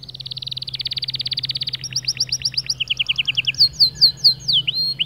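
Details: Male white canary singing to stir other birds into song: a fast buzzy trill, then runs of rising slurred notes, lower repeated downslurs and loud sweeping whistles, over a steady low hum.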